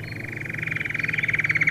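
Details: Belgian canary song for training young canaries: a steady rapid trill of pulsed notes, growing louder toward the end, with a low background hum.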